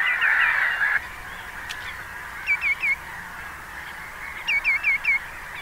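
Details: Common greenshank calling: after a second of dense bird chorus, two series of clear, ringing, downslurred notes, first three then four, over a steady background of other calling birds.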